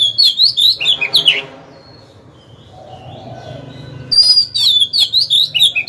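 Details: Decoy Oriental magpie-robin in a cage, its song used to lure rival birds to fight: lively whistled phrases, a long quiet gap with low murmuring background noise, then another burst of bright, varied whistles.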